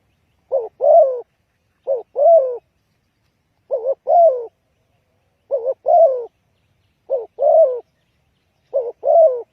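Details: Spotted dove calling as a trapping lure, giving six steady two-part phrases, a brief doubled coo followed by a longer slurred, slightly wavering note, about every one and a half seconds against silence.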